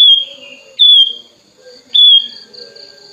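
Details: Hand-raised tame Sooty-headed Bulbul in full song, wings spread, calling to a rival: three clear whistled phrases, each starting with a sharp high note and sliding slightly lower, spaced about a second apart, with a faint constant background hum.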